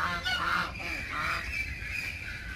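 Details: Backyard geese giving a short run of hoarse, nasal honks that blur together over a noisy background.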